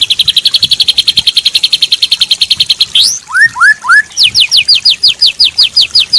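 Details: White-rumped shama training song with added filler phrases, for tutoring daily and contest birds: a long run of rapid, even high chips repeated about three per second, then upslurred whistles and a fast series of descending buzzy notes.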